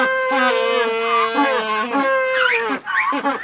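Magellanic penguins give loud, nasal, donkey-like brays: long drawn notes that waver in pitch, with several birds overlapping near the end.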